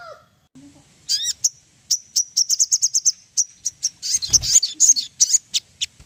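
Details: Ruby-throated bulbul song meant as a lure to prompt birds to sing: a few swooping upslurred whistles, then a quick string of high, piercing chirps at about three per second, with a brief thud partway through.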